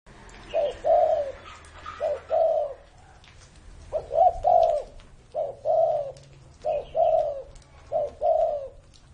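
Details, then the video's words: Spotted dove, an old bird said to be over 30 years of age, giving repeated low cooing phrases, each a few mellow coos, about every one to two seconds with short pauses between. "CU GÁY CỤ hơn 30 năm tuổi !"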